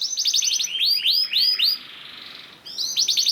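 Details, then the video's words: Singing canary used as a lure to make other canaries sound off: a clear trill, then loud swooping upward-curving whistles, a soft rolling stretch, and another rapid high trill. "PANCINGAN KENARI GACOR DOR NGEREK PANJANG INI AMPUH BIKIN KENARI LAIN BUNYI"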